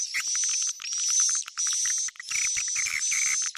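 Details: Edible-nest swiftlet calling sound of the Tarik Onar style, used by swiftlet farmers to attract swiftlets: dense buzzy twittering chirps in bursts of about half a second to a second, over a steady high whistling tone, with brief gaps between bursts.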